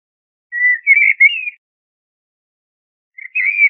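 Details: Common blackbird song: a short fluted whistled phrase wavering slightly upward, then a long pause and the start of a second brief phrase, with no other sounds.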